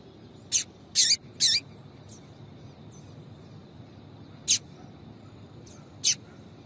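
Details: Calling female Double-collared seedeater, used to stir a male into singing: three quick high chirps close together, a long gap, then three further spaced sharp notes against low background hiss.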